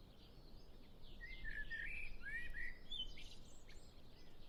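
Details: Common Blackbird singing, with other birds singing in the distance: mellow, fluted, whistled phrases that slur up and down through the middle of the clip, mixed with faint high chirps and a low background rumble.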